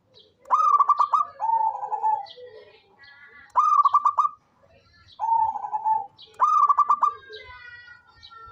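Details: Local zebra dove alternating quick stuttered coo phrases with smoother, level coos, about five phrases in all, with background chirps from other birds.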